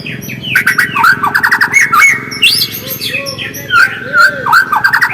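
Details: White-rumped shama singing in its original voice as a lure to spur other shamas into song: a dense run of rapid trilled notes, clear upslurred whistles and looping phrases over a low background hum.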